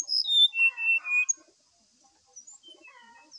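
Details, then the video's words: Brown-chested jungle flycatcher singing at morning, used to prompt another bird: a bright cascade of whistled notes dropping in pitch and ending in a wavering trill, then quiet softer warbles. "SIKATAN RIMBA DADA COKLAT GACOR DI PAGI HARI ,PANCINGAN SRDC"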